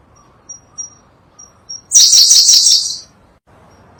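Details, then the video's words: Sunda blue robin, a bird endemic to Java and Sumatra, on a tutor recording for songbirds. Thin high whistles lead into a loud, dense, buzzy chattering phrase of about one second with rapid pulses, followed by more faint whistles. "Berkecet biru, burung unik dengan kicauan merdu"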